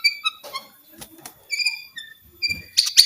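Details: White-rumped shama song played to stimulate quiet shamas into singing: clear whistled notes between mid and high pitch, some steady and some sliding, in short phrases separated by pauses, ending in a burst of sharp high chips.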